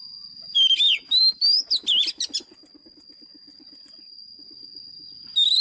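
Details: White-rumped shama lure bird's fighting song for voice training of caged birds. Slurred rising and falling whistles and sharp chips come in quick succession, a soft low pulsing underneath, then a constant piercing high tone continues alone.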